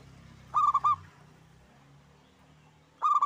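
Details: A lively single local zebra dove sings short phrases of three staccato cooing notes, a pause, then the phrase starts again near the end; low background rumble.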